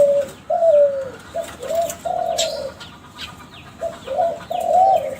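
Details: Kelantan spotted dove, a young bird from a contest-champion lineage, its song serving as a lure for other doves: deep hollow coos grouped into repeated phrases, some notes bending upward, with soft chirping of small birds in the background.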